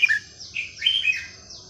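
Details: Red-whiskered bulbul song in a fine, varied style used for teaching young birds: one brief phrase of slurred whistles, a quick opening note followed by rising and falling warbled notes.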